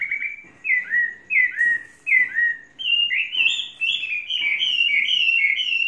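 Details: Tame Chinese hwamei, three seasons in keeping and fault-free, sings a series of falling slurred whistles, then speeds into a brighter, rising rush of fluty notes that runs on without a break.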